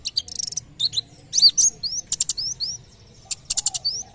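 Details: Song of a white-eye, a bird whose voice is said to lure nearby birds to sing. Bursts of high buzzy trills and sharp upslurred whistles come in quick groups with short pauses between them.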